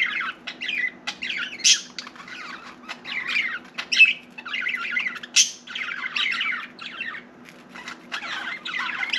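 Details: Indoor pet budgerigar warbling continuously, mixing grating chatter, clicks and high sharp chirps in choppy phrases, with a low electrical hum running underneath.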